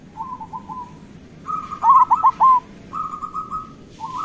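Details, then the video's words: Mellow cooing from a local zebra dove, short soft notes, then a louder burst of stuttered coos and a long level note, repeated in gentle phrases. "Perkutut lokal gacor Suara Besar"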